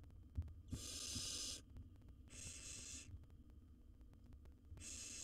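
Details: Barn owl nestling, wild, in a nest box while swallowing a rat whole; three harsh breathy hisses lasting up to a second each, separated by quieter gaps with low background hum.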